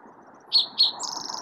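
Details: Spotted Towhee song, recorded in Utah's Wasatch Range, similar to an eastern towhee's but slightly different: two short, high introductory notes followed by a fast, even, buzzy trill, with a low background hum underneath.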